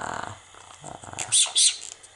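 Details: An 18-year-old Quaker (monk) parakeet, hatched in 1999, talks in a raspy, speech-like voice and then gives two harsh, bright squawks.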